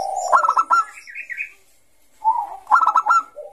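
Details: Bangkok-type zebra dove (perkutut) singing actively in the ngayer style, used to lure young doves: soft staccato cooing notes in quick bursts, a brief warbled phrase, a pause, then another rapid run of clipped hoots.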